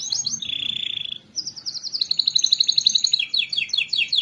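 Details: Canary song meant to stimulate lazy canaries to sing: a rapid high trill, a sustained buzzy note, a brief gap, then fast, evenly repeated chipping notes and descending trills.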